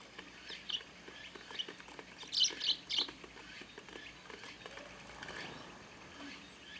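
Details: A large, noisy flock of Eurasian tree sparrows pecking at food on a garden feeder under a grape trellis in the countryside. Bright, sharp chirps cluster in a quick burst, with scattered softer chirps and pecking taps around them.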